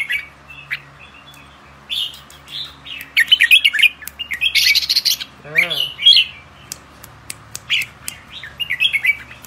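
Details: Young albino red-whiskered bulbuls, caged birds bought for pairing and breeding, give short bright chirps and warbled notes in irregular bursts throughout, with a brief low human voice and bursts of hiss in between.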